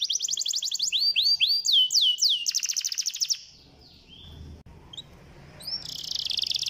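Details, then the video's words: Canary singing, played to prompt a lazy canary into song: fast high trills and swooping whistled notes, a brief pause with faint background noise, then a dense buzzy trill resumes. "PANCINGAN KENARI"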